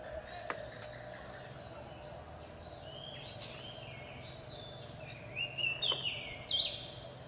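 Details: Oriental magpie-robin sound used to lure wild birds. Thin whistled and slurred notes are faint at first, then a louder run of sharp, rising and falling whistles near the end, over a low steady hum.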